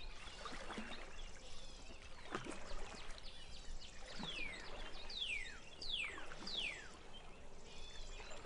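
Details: Birds at dusk by Baskatong Lake among long grass give clear whistled notes sliding steeply downward, about one per second toward the end, over a steady low rumble of water and wind.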